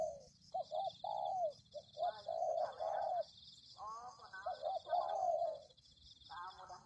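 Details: Spotted dove lure recording for attracting wild birds: mellow, low cooing notes in short phrases, some clipped and some drawn out, with higher harmonic chatter between them and a steady high buzzing drone throughout.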